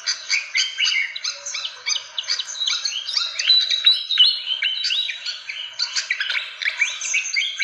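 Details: Fantail calls played as a lure to attract birds: a dense, continuous run of quick chirps and short rising and falling whistles, busy and overlapping, with little pause.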